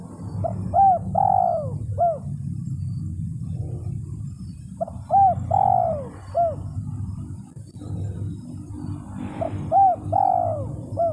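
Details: Spotted dove calling a rival, used as a lure: repeated phrases of short looping coos and a longer downslurred coo, partly masked by steady loud low rumbling noise across the recording.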